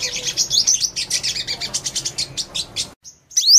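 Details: High, fast twitter of a purple-throated sunbird: quick thin chirps and short up-and-down slurred notes for about three seconds, a brief silence, then one sharp rising squeaky note.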